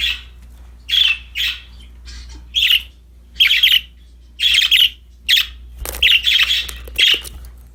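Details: Cheerful budgies playing with a new toy, giving clear, scratchy double and triple chirps in bursts about every half to one second, a rustle near the end.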